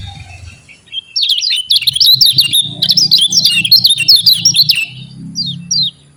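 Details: Javan white-eye (kecial kuning) in lure song for lazy white-eyes. Rapid, high, jumbled twittering pours out for about four seconds, then trails off into a few separate down-slurred chirps.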